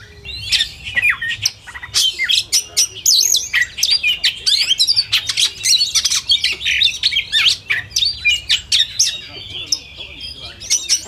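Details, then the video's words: Oriental magpie-robins singing as in a contest simulation, a continuous jumble of short sharp chips, buzzy squawks and fast trilled phrases overlapping, and few pauses. "SUARA BURUNG - SUARA JERNIH , SIMULASI LOMBA KACER TERBAIK , DIJAMIN NYAUT EMOSI"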